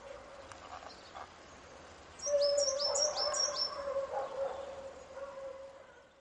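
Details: Coal tit singing by the Mero river: after a quiet start, a short burst of three or four high, quickly repeated downslurred notes, over a steady low whistled tone and softer mid-pitched warbling.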